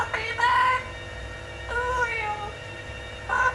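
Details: Blue-fronted amazon parrot, a pet, talking in short harmonic phrases with falling and level tones, three utterances with pauses between; a person says goodbye words nearby.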